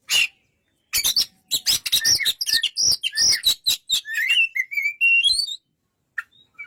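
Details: Singing Oriental magpie-robin: a long, crowded run of harsh, scratchy notes and high whistles. It ends in a series of sliding whistled notes that climb step by step in pitch.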